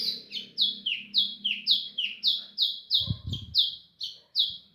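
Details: A captive White-throated Seedeater, put outside in the sun around 6:30 for a warm-up beside an Ultramarine Grosbeak, sings a fast string of high, down-slurred whistled notes, about three per second, over a dull thump and faint low hum.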